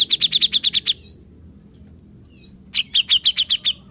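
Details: Grey-cheeked bulbul (cucak jenggot), reportedly turned from mute to a lively singer, delivers a rapid burst of eight high, sharp chips, pauses nearly two seconds, then repeats a similar chattering series of about seven notes.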